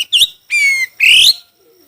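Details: A Chinese hwamei in a singing contest gives three loud notes: a short bent note, a level harsh whistle, and a rising strained note, each with rich overtones, followed by a faint low note.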